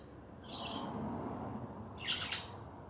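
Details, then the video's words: Budgies chattering, heard as two bursts of bright, scratchy warbled chirps with a quiet gap between them, over a low background hum. "Hours of chatting budgies"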